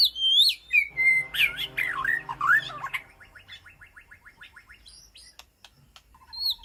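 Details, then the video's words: White-rumped shama in an aviary calling to its flock, opening with loud, rich, tumbling whistles and warbles, then shifting to a fainter, fast, even series of short repeated notes, with a few clicks near the close. "Sound of White-rumped Shama Call to Flock"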